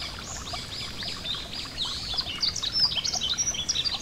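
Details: High, thin twittering of a yellow-throated bunting beside a gentle stream: faint chirps at first, then louder, clearer slurred and whistled notes in the final second and a half, with water murmuring underneath.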